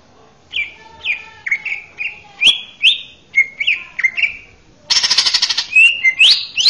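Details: Male greater green leafbird in song, used as a master recording for young birds to learn from: slurred whistled notes roughly every half second, then a harsh buzzy rapid burst and bright rising whistles.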